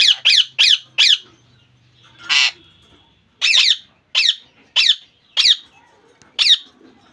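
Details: Pet rose-ringed parakeet calling in sharp, grating, high squawks, each about a third of a second long and spaced irregularly, with one broad noisy burst partway through.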